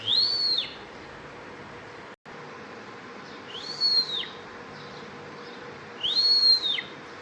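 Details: Bimaculated lark repeating a bright, pure whistle that climbs and then slides down, three times roughly every three seconds, with a brief dropout in steady background noise.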